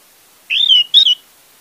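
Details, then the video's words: Orange-headed thrush used as a lure to prompt a bird that has stopped singing: one short whistled phrase, a slurred rising-falling note followed by a brief second burst, high-pitched against a silent background. "pancingan anis merah untuk anis merah macet"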